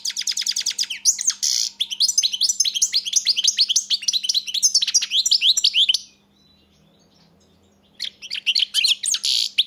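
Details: European goldfinch singing a fast, liquid twittering run of high chirps and buzzy trills, rapidly repeated notes, a brief pause near six seconds, then resumed twittering; faint steady low hum underneath.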